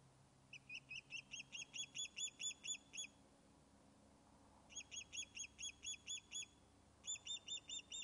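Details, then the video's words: Nesting Osprey at Loch of Lowes, Scotland, fish-calling after its return from being feared lost: three bursts of rapid high whistled chirps, the first of about fifteen accelerating notes, then ten and five, with a low hum early on. "Blue44 "lost" is now back on nest fish-calling"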